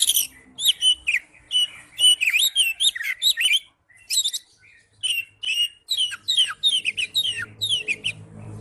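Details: Kacer, the Oriental magpie-robin, delivering ngipas song: a fast, continuous run of sharp whistled and slurred notes, high and varied, broken by one short pause mid-way, with faint low rumble toward the end.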